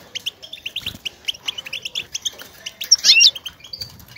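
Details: Goldfinch motivating chatter, used to spur caged males to sing and mate: quick bright twittering chips in uneven bursts, with one louder, sharper squeaky flourish near the end.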